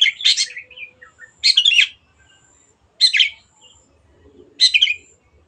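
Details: Long-tailed shrike in full voice for use as a lure to make birds sing: four loud, harsh, buzzy bursts roughly every one and a half seconds, with faint softer notes between.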